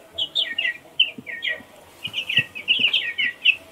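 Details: Rapid high-pitched peeping from a baby chick, coming in short bursts of two or three notes separated by small gaps, with soft tapping sounds underneath.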